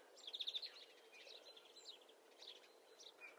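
A greenfinch gives a quick burst of five or six bright, high twittering notes, followed by fainter scattered chirps against a soft outdoor hiss.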